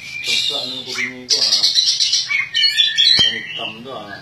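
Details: Oriental magpie-robin, a caged contest champion, gives a varied loud song of whistled slurs, dense buzzy trills and harsh chatter, with a sharp click partway through.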